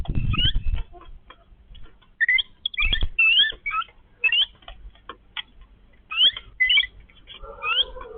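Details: Yellow-billed babblers, a family feeding together: short squeaky rising and falling notes at irregular intervals, with brief harsh chatter near the end and a low thump at the start.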